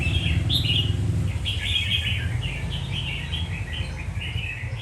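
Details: Red-whiskered bulbul song of rapid, slurred whistled phrases repeated in quick succession above a constant low hum.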